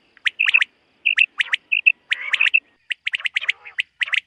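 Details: Morning calls of a common quail from a summer meadow: crisp, high, clicking chirps in tight runs of two to four, broken by a longer buzzy, wavering note, repeated at an uneven pace.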